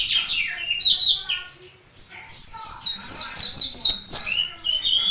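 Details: Vigorously singing Indonesian white-eye from Malang: high, quick descending chirps, a brief pause, then a bright run of rapid twittering notes ending in softer thin whistles.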